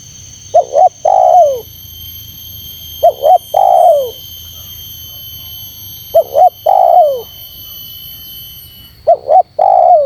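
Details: Spotted dove call for provoking wild doves, four phrases in ten seconds, each a pair of clipped notes and a long downward-curving coo, evenly spaced roughly every three seconds, with faint steady tones overhead.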